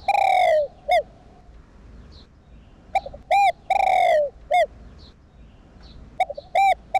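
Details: Kept spotted dove cooing to stimulate other doves into calling. Repeated loud phrases, each a long sliding coo among brief clipped hoots, recur every few seconds with short pauses between them.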